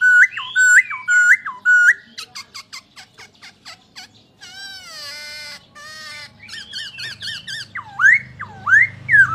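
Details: Masked laughingthrush, locally poksay Hongkong, singing repeated flat whistled notes, then rapid clicks, a buzzy harmonic phrase, chattering notes and loud swooping dips, with some low background rumble.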